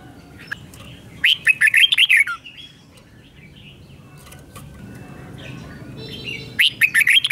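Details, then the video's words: Song of a caged red-whiskered bulbul in the 'double' style, played so young birds can copy it. Lively rolling phrases of quick warbled notes come twice, with softer chirps and faint background hum between them. "นกกรงหัวจุกเบิ้ล 1000000% สอนลูกนก ก็อปติดง่าย"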